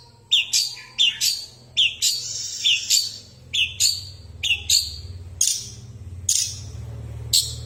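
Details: Long-tailed shrike of fighting quality calling loudly: grating, scratchy bursts mixed with brief thin whistled notes, coming in a quick uneven run, just over one burst per second, over a steady low background hum.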